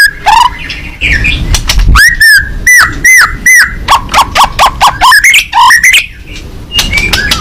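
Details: Fighting-type white-rumped shama singing hard with its beak open, giving a brisk series of loud, arched whistles, some paired and some slurred upward, delivered at a rapid, slightly uneven pace, with a low background rumble.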